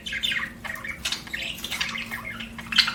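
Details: Pet budgerigars chirping indoors: a busy, continuous stream of warbling chatter, rapid squawky notes and short bright chirps overlapping throughout, with a faint steady hum underneath.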